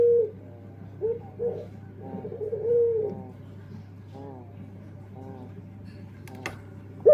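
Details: Dove, a singing bird, giving short low cooing phrases with quieter gaps between them, over a steady low electrical hum and faint indoor background sounds.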